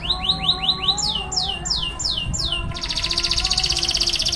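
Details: Canary singing in the roll tembak style: a series of loud, whistled, downward-sweeping notes repeated about eight times a second, shifting higher partway through, then breaking into a fast, steady buzzing trill. A faint low hum sits underneath.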